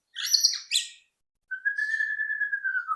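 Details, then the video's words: White-rumped shama song used to draw other shamas into song: two harsh, buzzy high notes, a pause, then a long, steady whistle that falls slightly at the end. "pancingan AMPUH murai batu agar cepat bunyi"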